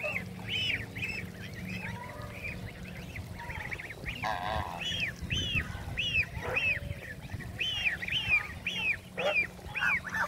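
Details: Domestic ducks, a call duck and a Cayuga duck meeting in a backyard, give a busy run of loud, nasal, high quacks about two a second, several birds overlapping, over a low steady hum.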